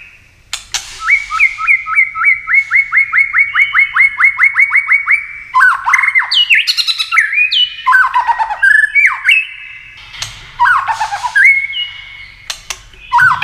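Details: Contest-style song of a tail-flicking white-rumped shama, used to stir rival birds to sing: a long rapid series of identical short whistled notes, then varied rich whistles and warbles broken by sharp clicks.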